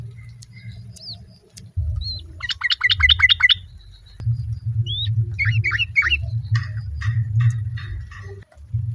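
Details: Sooty-headed bulbul, a female calling the male while other birds answer; bright chirpy notes in quick rattling bursts and scattered short whistled calls, over a steady low rumble.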